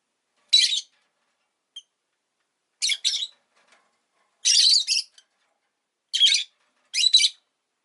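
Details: Rosy-faced lovebird kept as a pet gives five loud, scratchy, high-pitched chirps in short bursts, with a tiny faint peep between them and quiet gaps in between.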